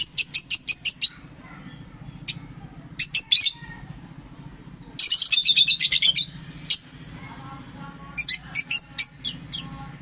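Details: Pair of lovebirds giving sharp, high chirps in quick bursts, some runs of six to eight notes, others dense and chattering, with short silences between, over a low background hum.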